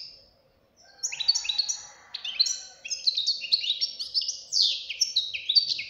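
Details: Fledgling European goldfinch in full song, a brief pause and then a dense, continuous run of sharp, tinkling, rapidly changing twitters and slurred chirps, rising and falling without a break.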